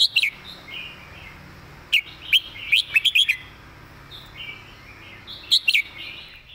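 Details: Red-whiskered bulbul singing a fast, repetitive model song: short bursts of sharp, bright whistled notes open the clip, return around two seconds and in a quick cluster near three seconds, then again late on. Faint warbling fills the gaps.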